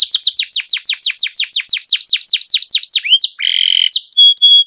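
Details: Canary singing a long roll as a lure for other canaries: about fifteen high downslurred notes in a row that gradually slow down, then a buzzy burst and two clear level whistles.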